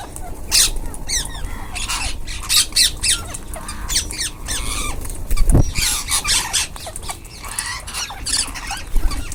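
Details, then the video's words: A group of rose-ringed parakeets eating together: harsh, scratchy screeches in quick runs of three or four, pausing and resuming several times, over a steady low rumble in the background. "Ringneck parrots group //eating // natural sound"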